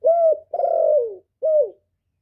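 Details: Male decoy spotted dove calling to attract wild doves. There is a clean steady coo, then a longer coo that falls in pitch, and after a pause a short falling coo. No background noise is heard.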